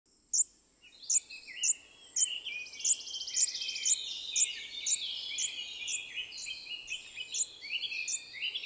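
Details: A Long-billed hermit (Phaethornis longirostris) in Costa Rica gives a very high, sharp chip about twice a second, over a dense chorus of twittering birds and buzzing insects.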